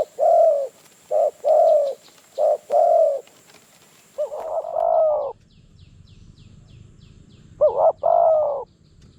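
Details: Spotted dove from the wild in Phrae province, Thailand, lured by a decoy and arriving fast and fierce. Deep, hollow cooing phrases come in grouped bursts separated by short pauses, over a faint high insect drone and soft background rumble.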